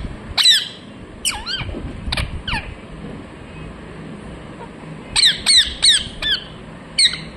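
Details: Parrot chirping in short harsh squawking notes with sharp up-and-down frequency sweeps, an early burst of four calls, then a quiet gap and a tight run of repeated squawks near the end, over faint background noise.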